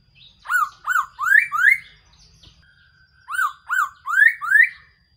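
Black-throated laughingthrush gives two bursts of four loud, rich, upslurred whistles, each about a third of a second apart, with a short pause between bursts.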